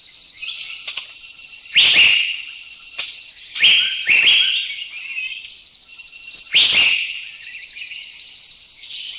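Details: Asian Fairy-bluebird recorded in a Thai national park (Khao Yai, Doi Intanon, Doi Suthep-Pui or Chae Son): four sharp, bright call notes spaced a second or two apart over a steady high-pitched insect drone.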